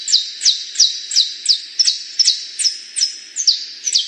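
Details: Canary giving a slow series of sharp, high descending notes, each ending in a brief held tone, spaced roughly every third of a second.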